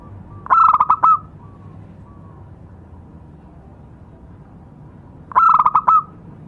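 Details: Local zebra dove lure song: two bursts of fast, rattling coo notes ending in a short sustained tone, separated by nearly five seconds of soft low hum.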